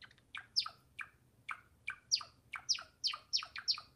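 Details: Java sparrow of the wingko form singing: a string of bright, high, sharply falling chip notes, about two to three per second and growing louder and quicker toward the end, with no other clear sounds.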